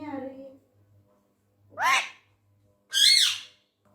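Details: Angry tame male Indian ringneck parrot talking Urdu/Hindi words in a small room: a lower voiced phrase fades, then two sharp, rising-falling screechy syllables about a second apart.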